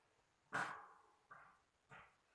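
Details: An Indian ringneck parakeet talking, apparently saying "open the cage door", speaks three short, harsh syllables: a loud first word, then two quieter ones about half a second apart, in an otherwise quiet room.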